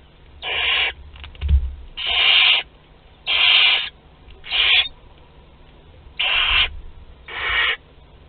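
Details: Barn owl chicks aged 2 to 12 days at a group meal in a nest at Théding, France, 29 April 2021. Rasping, hissing screeches of about half a second, six in eight seconds, irregularly spaced, with a soft thump.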